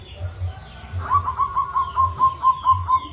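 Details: Rare-rhythm local zebra dove, a lure song for other doves: a rapid, even series of about a dozen short cooing notes at one pitch, over a low throbbing hum.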